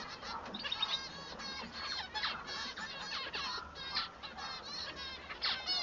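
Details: Male Bengalese finch singing a string of rasping, buzzy phrases with rising and falling notes, separated by short pauses.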